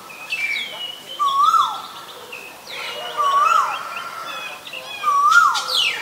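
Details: Repeated rising, whistled calls of an Asian koel, three in sequence roughly two seconds apart, with sweeping chirps and twitters from other birds in the background.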